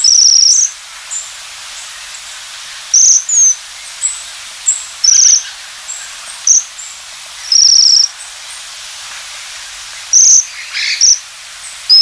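Japanese Waxwings give very high, thin, buzzy trills, each under a second, at irregular intervals of one to three seconds. Faint softer notes sound between them.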